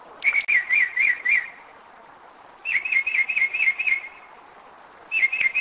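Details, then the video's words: Night song of a Northern mockingbird at 2am, Kennesaw, Georgia, 2011, at a spot it revisits yearly; rapid wavy warbled notes repeated five or six times per burst, three bursts with short silences between. "Mockingbird 2am 2011"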